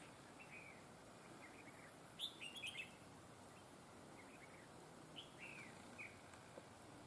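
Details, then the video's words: Red-whiskered bulbul kept as a trapping lure, noted for an excellent voice joining double phrases; soft slurred whistles lead into a bright three-to-four-note warbled phrase, followed by scattered gentler whistled notes over light hiss. "Bẫy chào mào GIỌNG CỰC HAY CÓ GIỌNG KÉP NỐI"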